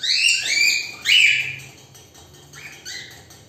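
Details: Pet cockatiel chirping during play with its owner in a woodpecker game. Loud, high, scratchy chirps come in two quick bursts, then fade into a quieter final chirp.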